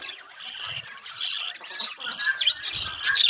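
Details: Budgerigars in a breeding colony setup, a dense overlapping chatter of warbling, scratchy high chirps and squawks from many birds, rising in loudness toward the end.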